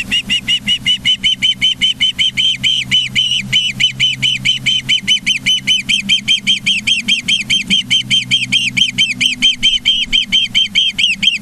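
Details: Ospreys filmed by a live nature cam at Charlo, Montana, on 24 August 2023 at 09:29; a long unbroken run of sharp, high whistled chirps, each arched in pitch, about four per second throughout, over a low steady hum.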